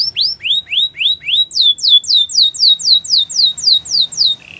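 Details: Belgian canary song of rising slurred whistles followed by a regular series of clear descending whistles, about four per second, ending in a short low buzz.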